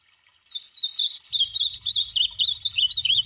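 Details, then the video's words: Ultramarine grosbeak giving its song, a lively string of looping, slurred whistles rising and falling for nearly three seconds over a low rumbling hum. "AZULÃO CANTANDO"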